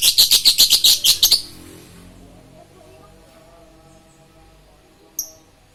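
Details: Lovebird giving a rapid burst of about nine sharp, high chirps over the first second and a half, then near quiet with one more short chirp near the end.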